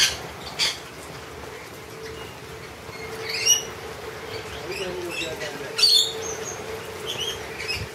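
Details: Several sharp, rasping screeches from wild lorikeets feeding on honey, spaced a second or more apart against a quiet background with a faint low hum.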